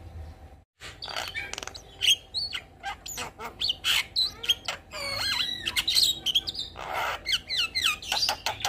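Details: Javan myna singing gacor with nodding and full isian fill-ins; a dense, varied stream of rising and falling whistles, chirps and rough chatter, one rasping burst midway.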